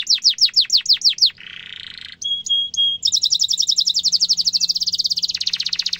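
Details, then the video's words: Canary song with a sharp roll, meant as a tutor for young canaries: quick down-slurred chirps, a harsh buzz, a few pure whistles, then a long fast trill that gradually softens. "Kenari gacor ngerol tajam suara kesukaan kenari muda gampang ditiru efektif untuk masteran kenari"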